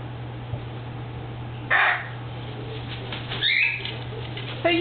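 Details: Pet male cockatoo, a talker that sometimes nips too hard and imitates being told to stop, utters short harsh, raspy vocal bursts at about 1.7, 3.4 and 4.8 seconds over a steady low indoor hum.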